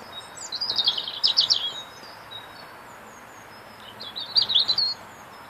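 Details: Robin singing in a tree outside an office on a cold winter's day: two brief, high, thin warbling phrases with quick trills, separated by a pause of about two and a half seconds, over faint hiss.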